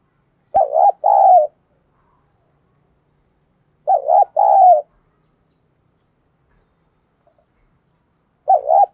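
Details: Decoy spotted dove, in thổ-style voice, cooing to goad and lure wild doves: three low, mellow two-part coo phrases, each a short wavering note then a longer rolling one, spaced about three seconds apart, otherwise quiet.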